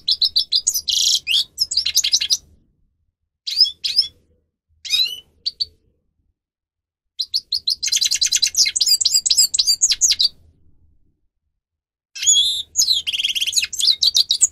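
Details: Song of a grey-crowned goldfinch, used to train captive singers, with lively high twittering runs, buzzy trilled passages and liquid chirps in bursts separated by short pauses.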